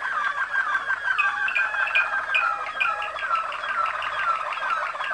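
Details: Singing Waterslager (Malinois) canary, bred in Kumanovo, Macedonia, from former international contest champions: a continuous liquid, water-like bubbling roll with repeated short slurred whistles.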